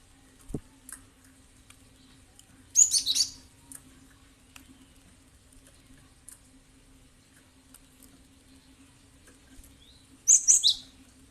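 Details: Cinereous tit (gelatik batu) calls used as a lure to make other birds respond: two bursts of sharp, high chirps several seconds apart, the second a rapid cluster of piercing notes, over a faint steady hum and soft clicks.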